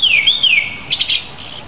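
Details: Japanese thrush (Turdus cardis): one loud, clear whistle that swings down, up and down again, with strong overtones, followed by softer, scratchy high notes that fade out.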